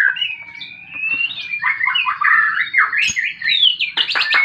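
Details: Fighting song of a white-rumped shama, used to coax silent birds into singing: flowing whistles build into quick jumbled warbling, ending in loud sharp clicks and high piercing notes.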